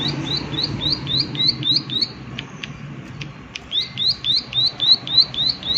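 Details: Two bursts of quick upslurred 'klik klik' notes from a prinia, each high and evenly repeated about three to four per second, separated by a short pause with a few faint ticks.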